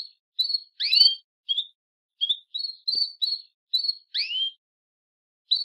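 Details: Calls of a female Belgian canary seeking to mate: about a dozen short, bright chirps in steady succession, broken by two curving, rising swoops, in near silence.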